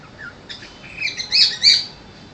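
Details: A talkative cockatiel gives a few bright, harsh chirps and squawky warbles in quick succession.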